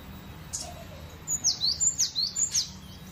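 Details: After a brief soft note, a cinereous tit launches into a quick series of five high, clear whistles, each sliding steeply downward, evenly spaced and loud.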